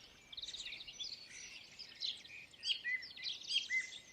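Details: Wild birds chirping outdoors: a busy run of short high twittering notes and thin whistles, irregularly spaced and overlapping, with a steady hiss of background environmental noise.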